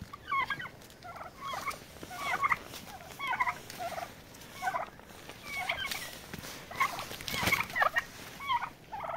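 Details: Turkeys fighting to establish a pecking order: a steady series of short, rising, squealing yelps, roughly one every second, with a brief scuffling noise near the end.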